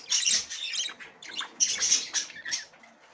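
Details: Female budgerigar examining the nest for the first time; harsh, buzzy high squawks in about five loud bursts, each breaking off before the next.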